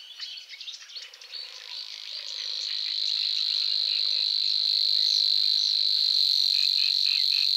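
Savi's warbler reels a long, even, insect-like buzz that runs unbroken for several seconds, with other birds chirping early on and low croaking notes repeating beneath.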